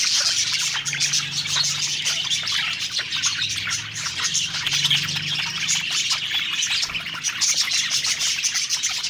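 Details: Several budgerigars (parakeets) singing happily while eating; a dense, unbroken warbling chatter of high chirps and short trills from many birds overlapping, with a faint low hum underneath.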